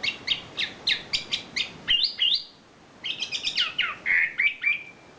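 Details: Champion wambi gives a series of sharp, rapid chirps, about four a second, then a brief pause before a rich twittering warble ending in a drawn-out whistle; isian filler song, with a person exclaiming afterward.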